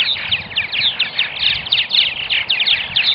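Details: At a Purple martin nesting colony in Melbourne, Florida, a dense, unbroken wall of high, squeaky chirps and gurgles pours from many overlapping birds with no pauses.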